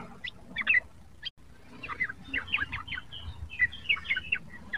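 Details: Juvenile sooty-headed bulbul practising its song, giving a loose, bubbly string of soft chirps and short twittered notes that grow busier toward the end, with faint low rumble behind.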